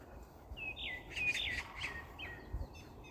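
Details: Clear bird song of sliding whistled chirps and short trills in a rapid sequence lasting about two seconds, with a faint low hum and a few soft knocks behind.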